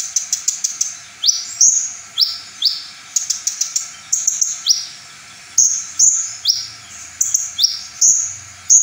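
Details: Brown-throated sunbird song from a full repertoire, said to provoke other sunbirds. A fast run of high clicks gives way to repeated rising whistled sweeps and thin bright notes, with a soft low hum in places.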